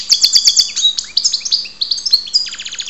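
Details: European goldfinch from Ptolemaida, Greece, singing indoors: a rapid, continuous tinkling warble of high buzzy trills, chirps and liquid twitters, changing pace every half second, with no pauses and no other sounds.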